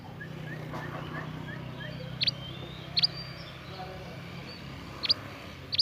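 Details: A young forest Scarlet minivet gives four piercing high chips, each a brief downward slur, spaced roughly a second or two apart over a steady low background hum.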